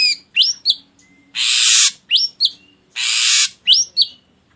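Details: Ashy drongo lure recording, meant to provoke other birds into singing: harsh hissing bursts alternate with short, sharply rising whistled notes in pairs, the sequence repeating about every one and a half seconds.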